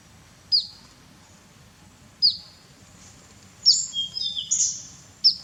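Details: A Grey-headed Canary-flycatcher bathing in Cambodia gives thin, very high chips every second or two, then a brief run of quick twittering notes, over a faint low background hum.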